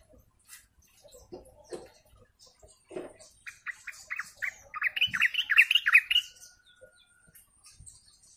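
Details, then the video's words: Sooty-headed bulbul group sound used as a lure: scattered soft ticks give way to a quick run of bright, repeated chirps that rise into a dense, loud bubbling burst before fading to faint notes. "pancingan suara trucuk ombyokan"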